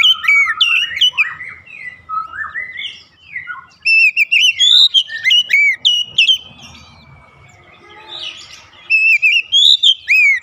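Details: Rhythmic calling song of an oriental magpie-robin: varied whistled phrases, some lower and swooping, then a dense run of bright high whistles, a softer drawn-out stretch, and a final burst of loud slurred notes.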